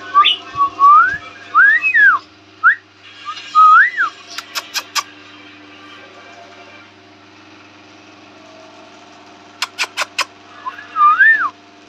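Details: A green rose-ringed (ringneck) talking parrot gives clear, looping whistled phrases, rising and falling, with a few sharp clicks between them and a steady indoor hum behind.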